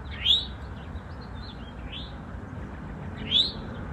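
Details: Territorial Eastern towhee pair in woodland: a loud rising chirp, softer similar notes between, then another strong upslurred chirp three seconds later over a quiet natural backdrop.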